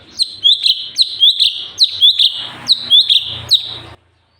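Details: Sooty-headed bulbul singing persistently, recorded as a tutor track for training other birds: a rapid series of loud, sharp chirps, each flicking down from a high onset, repeated about twice a second for four seconds before stopping.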